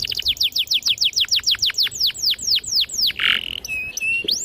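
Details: Canary with a clear, piercing voice, used to lure young birds into song: a series of loud downslurred whistled notes repeated about four times a second and slowing, then a brief buzzy burst and thin whistles.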